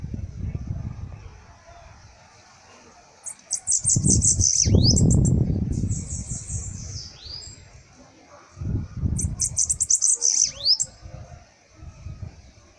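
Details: Sibite singing: two bursts of rapid, very high, thin chattering notes, each ending in a falling whistled sweep, with loud low rumbling and thumping noise in between.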